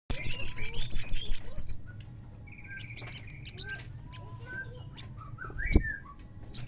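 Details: Crimson sunbird song used as a lure to provoke other sunbirds into singing: a rapid, high, buzzy trill of about a dozen repeated notes lasting under two seconds, followed by scattered soft chirps and twitters over low background hum.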